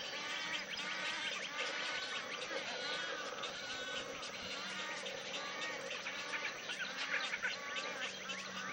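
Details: Nesting wood storks, with families of chicks growing toward fledging; overlapping nasal, bleating calls form an unbroken, loud chorus, with a few louder rasping bursts near the end.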